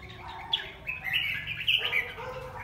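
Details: Red-whiskered bulbul singing in a song competition: a quick run of bright, chirpy whistled notes, some sliding up and down, with a louder clustered flourish in the second half over a low background hum.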